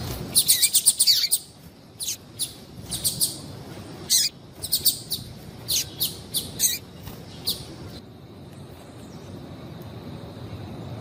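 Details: Calling female yellow-bellied seedeater, used to excite males so they keep singing: a rapid burst of high chirps, then repeated clusters of short sharp notes over about eight seconds, ending in quiet background hiss.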